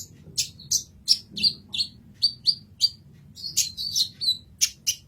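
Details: Sunbird known as kolibri ninja giving a masteran song: repeated high, piercing chirps roughly three per second, some sliding downward, closing in a brief rapid twittering run.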